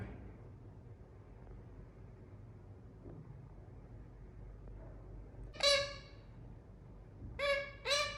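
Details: Pet rose-ringed parakeet indoors: several seconds of near silence, then three short harsh squawks, one followed after nearly two seconds by a quick pair, each a bright harmonic burst.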